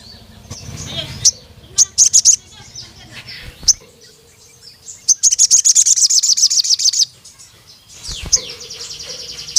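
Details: Chatty sogon (crimson sunbird) calling a rival male: scattered single high chips, then a two-second rattling trill of sharp ticking notes, with a faint steady tone and low hum behind.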